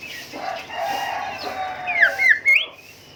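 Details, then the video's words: Golden whistler (kancilan emas, bimoli) song, recorded to train caged songbirds: a murmuring background, then three loud sweeping whistled notes near the end, the last one rising. "Merdunya Kicau Golden Whistler gacor"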